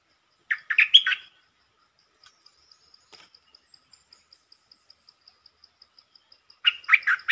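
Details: Red-whiskered bulbul lure song, short and quick-opening: two brief bursts of liquid, chattering warbles separated by a long pause filled with soft, regular high ticking.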